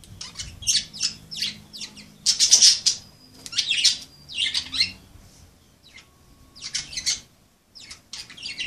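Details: Playful pet budgerigars chattering in a small room, harsh rasping squawks in quick bursts, several in a row, a pause, then more scratchy calls.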